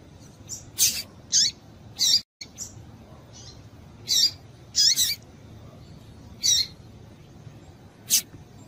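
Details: Female double-collared seedeater calls meant to rouse males before song contests: brief, piercing high chips, sometimes paired, spaced irregularly about eight times, with a short dropout in the sound and steady low hum.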